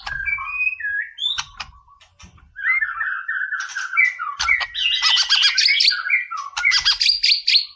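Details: Energetic white-rumped shama song aimed at provoking a rival bird: rich whistled phrases and fluty slurs, then dense high trills and buzzy rattles, with loud bursts following one another almost without pause.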